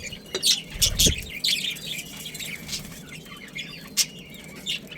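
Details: A breeding pair of budgerigars kept as pets chatter in bright, high, uneven chirps, loudest early on with a dull knock among them, then softer twitters and one sharp note near the end.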